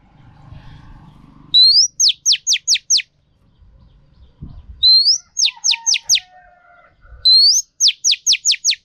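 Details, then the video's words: Female Oriental magpie-robin singing to rouse males, used for training captive birds: a rising whistle followed by a quick run of five sharp descending notes, repeated three times, with faint low murmurs and hums between phrases. "Choè than mái kích trống hay nhất."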